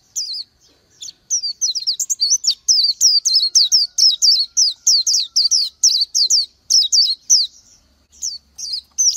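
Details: Small Oriental white-eye giving a long, lively stream of high, sweet twittering notes, each a quick rising-and-falling whistle, packed about three per second with brief gaps, no other animals heard.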